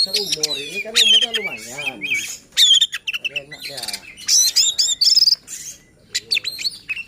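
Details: Oriental magpie-robin song used to goad other magpie-robins into singing: bright high whistles and crisp trills alternating with harsh, wavering lower rasps, phrases broken by brief silences.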